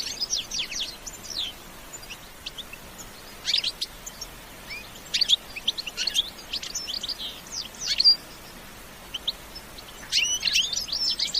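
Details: European goldfinch giving an energetic bitbita song, natural with no effects added: bursts of high, liquid twittering notes separated by brief pauses, with sharp rising and falling chirps about every two seconds.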